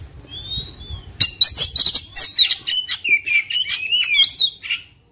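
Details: Agitated white-rumped shama opens with a single long whistle, then breaks into rapid harsh chatter and sliding whistled notes typical of a fighting mood.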